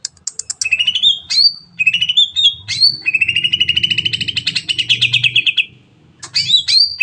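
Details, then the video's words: Cucak ijo, the Greater green leafbird, in a long 'nembak panjang' volley meant to spur other birds into song: crisp high chips and slurred whistles, a sustained fast rolling trill over several seconds, then sharp rising whistles after a short gap; faint low hum. "CUCAK IJO NEMBAK PANJANG PAS BUAT MERANGSANG BURUNG LAIG AGAR CEPAT BUNYI"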